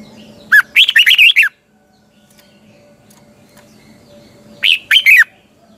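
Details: A caged red-whiskered bulbul sings a morning training song in a twisting double voice: a lively phrase of fluty, slurred notes, a three-second pause, then a shorter phrase of the same whistles.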